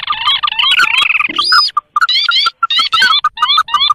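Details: Sintar calls made to lure wild birds: a fast chattering trill, then evenly spaced short notes each topped by rising slurred whistles.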